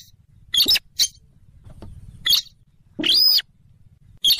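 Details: Rail known locally as sintaran sawah or weris, a marsh bird of swamps near rivers and lakes, in a trapping lure recording: short harsh squeaky bursts, then a longer arched rasping note, then another brief burst.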